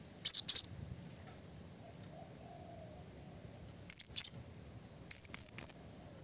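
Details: Blue-crowned hanging parrot used to provoke rival birds: loud, very high squeaky notes in short clusters of two or three, with pauses of several seconds between clusters.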